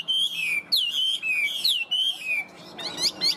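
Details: Yellow-billed, yellow-legged Chinese hwamei, tame and long kept in a cage. Loud, pure whistles slide downward in repeated phrases about every half second, ending in quick high chirps.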